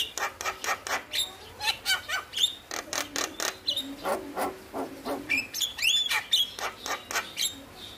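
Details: Male Javan myna singing to coax lazy mynas into song: a steady run of harsh, raspy notes repeated about twice a second, broken by a few twisting whistled squeals near the end.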